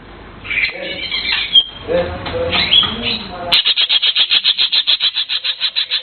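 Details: Blue cucak keling: a few squawky notes at first, then a steady train of about twenty sharp chirps repeated several times a second.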